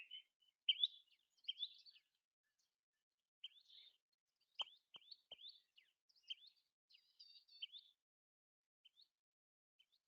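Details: Common tailorbird (Orthotomus sutorius) call: sharp, high chirped notes in quick bursts of two or three, repeated about once a second, with a few faint clicks partway through.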